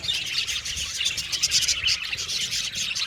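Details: An aviary colony of Australian budgies chatters busily, with many birds' quick twittering chirps and brief whistled notes piling over one another in a constant high babble.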